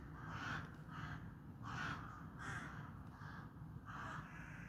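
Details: Crows calling with hoarse, drawn-out caws, roughly one every second, set against constant low-pitched background rumble.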